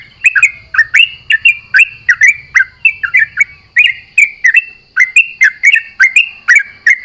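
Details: At dawn, a sooty-headed bulbul sings back and forth with companions, delivering a steady run of short chirped and slurred notes, roughly three a second, with faint low rumbling in the first half.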